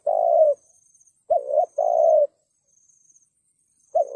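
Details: Cooing of a spotted dove, used as a trapping lure to draw wild doves in; deep soft hooting notes, a long rolling coo followed by a short note and another long coo, phrases spaced about two seconds apart over a faint high hiss.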